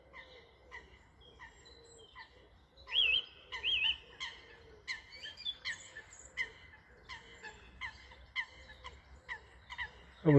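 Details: Eurasian Coots, black water birds scurrying along in spring at a river, give a series of short nasal, harmonic calls repeated roughly every half second, with a higher whistled bird note and a thumping noise at the end.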